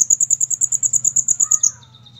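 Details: Olive-backed sunbird (kolibri ninja) singing actively: a fast, evenly spaced trill of piercing, very high notes, roughly seven per second, that stops abruptly and leaves a faint lower tone and a soft hum.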